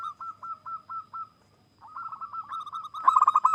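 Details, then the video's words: Wild local zebra dove singing, a sound used to lure others into song: an evenly paced string of soft, slightly rising coos, a short pause, then a faster, louder rolling trill of notes. "Perkutut Lokal GACOR,suara khas idaman para pemikat"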